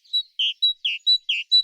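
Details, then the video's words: A Great tit sings its familiar "teacher, teacher" song, a bright seesawing couplet with a confident, ringing feel: a higher note alternating with a lower, buzzier one, repeated quickly about three times. "It's what we call a seesawing couplet and is repeated several times in a row."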